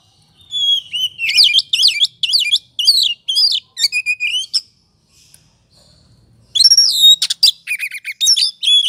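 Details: Oriental magpie-robin, kacer in ngobra style, as a lure to trigger singing; a run of rapid looping whistled phrases, a pause of near silence, then a loud burst of high varied notes.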